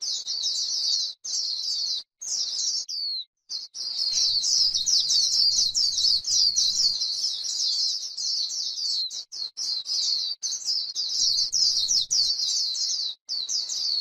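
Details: White-eye on grassland singing the líu style of song, used to stimulate other white-eyes: a long, rapid, high chattering warble of quick sliding notes, broken by a few short pauses, with faint low rumbling at times.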